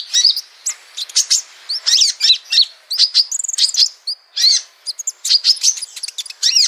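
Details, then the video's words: Sunbird song used as a training recording for other cage birds: rapid high, bright chirps and twittering trills in quick bursts, with sharp downslurred notes and short pauses between phrases. "masteran burung Kolibri sogok ontong"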